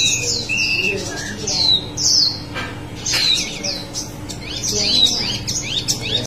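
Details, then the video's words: Singing wambi mini gives scattered high, slurred whistles and squeaky chirps, followed by quicker rising-and-falling twitters toward the end; a low constant hum underlies the song. "wambi mini gacor ngerol"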